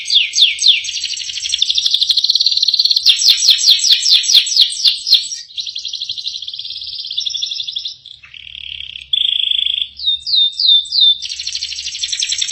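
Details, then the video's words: Canary in full isian song: fast looping notes into a rich rolling trill with crisp clicking accents, followed by a buzzy phrase, a low steady whistle, rising chirps and a buzzy finish. "BURUNG KENARI FULL ISIAN"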